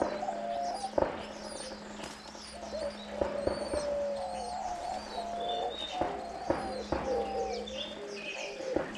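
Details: Diamond doves, a species native to Australia, kept as ornamental birds; both parents eagerly feeding their chicks on day nine of rearing. Soft tonal cooing notes rise and fall at mid pitch, with bright high chirps overlapping and a steady low hum beneath.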